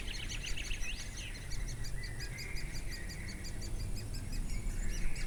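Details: Woodpeckers feeding nestlings, Durmitor National Park, 6 June 2017: a few louder chirps open, then a quieter run of quick, high, regularly spaced notes continues over steady low background noise.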